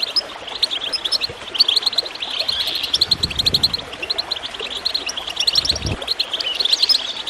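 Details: Goldfinch chirps and tinkling trills ride over gurgling, splashing water, a recording used to prompt birds to sing; the phrases come in dense, overlapping bursts.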